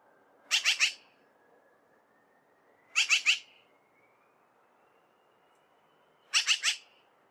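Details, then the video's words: A magpie gives three harsh, rattling bursts of three quick notes each, spaced about every three seconds, over a faint steady high hum. "The Sound of Magpies"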